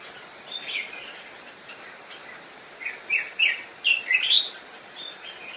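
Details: Decoy red-whiskered bulbul singing to lure wild birds in to fight: a few soft warbled notes early, then a run of loud, quick, slurred whistled phrases bunched between three and four and a half seconds.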